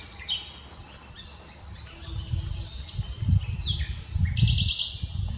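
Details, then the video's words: Common nightingale singing in an unedited recording: varied high whistled notes and short dry trills come in quick separate phrases, some sliding, over steady low rumbling background noise. "Common Nightingale singing without Edit"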